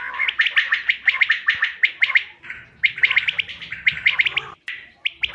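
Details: Bater, or quail, calling as a hunting lure: a long chain of rapid, sharp triple notes, bright and clipped, with a soft low hum in the background and a click near the end.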